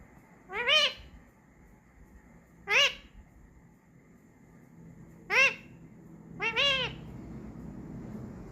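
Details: Parrot saying "mummy": four short, squawky, harmonic-rich utterances spaced roughly two seconds apart, the last split into two quick parts, against a quiet background.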